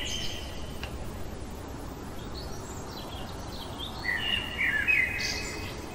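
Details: Common blackbird singing in the middle of the night; faint scattered high notes precede a short, louder warbled whistled phrase near the end, with steady background hiss.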